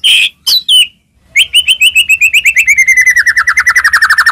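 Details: White-rumped shama singing to goad rivals into song: two or three loud whistled and slurred notes, a short pause, then a long rapid trill of clipped notes that quickens and falls slightly in pitch.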